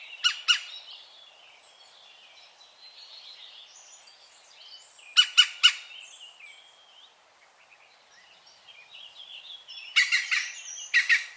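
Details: European green woodpecker, Wittlich, 2017: harsh clipped notes in short groups of two or three, spaced several seconds apart, over quieter twittering from other birds.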